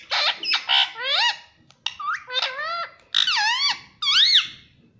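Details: Pet parrot at home mimicking words such as 'mummy': a steady sequence of loud, nasal, speech-like syllables with sliding pitch, each about half a second, separated by brief gaps.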